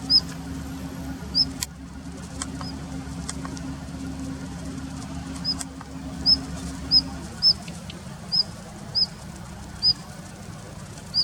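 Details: Daurian redstart holding a winter territory in a plum grove, late February; brief high thin calls, sparse at first then repeated every half second or so, with soft clicks and a steady low hum.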